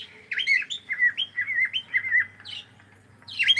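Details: Pet cockatiel singing while playing: a quick run of short, slurred whistled notes, some rising and some falling, about four each second, a pause, then a louder, harsher squawky burst at the end.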